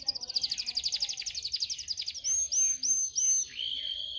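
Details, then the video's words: Canary singing for song training: a quick pulsed trill of rolled notes followed by several long sliding whistled notes and a lower sustained tone. "Video for Canary training 25 m. Canary training 0.25 Hour canario canary song"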